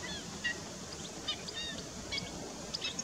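Black-winged stilts give short, nasal, yelping notes, scattered irregularly, about one a second, over a steady rushing background.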